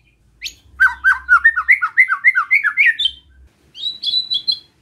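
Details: White-rumped shama singing in the besetan style, used to provoke other shamas: a quick run of about a dozen slurred, bouncing notes that climb steadily higher, then a short pause and a bright, higher trill of repeated notes.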